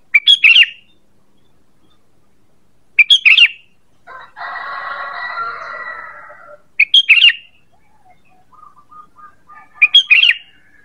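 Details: Sooty-headed bulbul lure call: brief, bright chattering bursts of a few notes, repeated roughly every three to four seconds. Between them comes a long, harsh, drawn-out call like a rooster crowing, and a soft row of faint notes follows.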